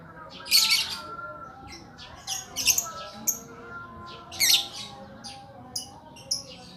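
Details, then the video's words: Lakbet bird gives scattered loud, raspy high chirps and short scratchy bursts with gaps of about a second, mixed with softer clipped notes and a faint low background hum. "Burung ajaib durasi panjang lakbet"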